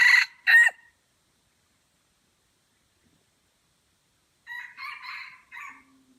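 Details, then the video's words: Junglefowl in a crowing contest at Kuta Malaka, Aceh: two abrupt harsh crow syllables open, then quiet, then a rougher crow of several clipped, hoarse syllables near the end. "Ayam Hutan Aceh # Perang Kokok di Kuta Malaka"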